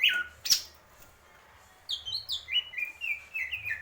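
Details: Greater green leafbird giving a short whistled phrase, then a silent gap before a quick series of high chips and slurred whistles that step down in pitch.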